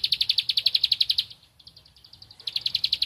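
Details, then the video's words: Bar-winged prinia of rice fields singing while seeking a rival: fast run of sharp, high ticking notes, fading briefly mid-clip then resuming at full strength. "Ciblek Padi Cari Lawan Gacor Temabakan Ngempel"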